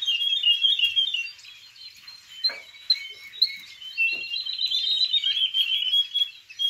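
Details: A young male Belgian canary, 6.5 months old, tutored by recordings and a live tutor, sings a continuous, rapid stream of high twittering trills and rolling phrases with brief quieter pauses; wild woodlark and yellow-throated bunting sing in the background.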